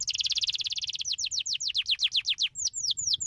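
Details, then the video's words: Canary singing to stimulate other canaries: opens with a rapid dry trill of very fast repeated notes, then shifts into slower downward-slurred whistles about five per second, closing with a few spaced, bright descending notes. "O canário escolhido estimula rapidamente o som de canários preguiçosos cantando"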